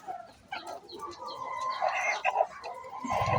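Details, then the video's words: Chicken calling before laying an egg: rising, harsh squawks building in loudness over a few seconds, with a low thump near the end. "Chicken makes noise before laying eggs"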